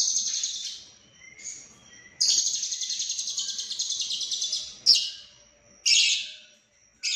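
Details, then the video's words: Lovebird from Cililin singing in the konslet style, described as full isian (fully packed with fill-in phrases): long, dense, very high buzzing trills lasting up to three seconds, broken by short pauses and brief sharp bursts, with faint lower chirps between. "Lovebird Konslet Full Isian CIlilin"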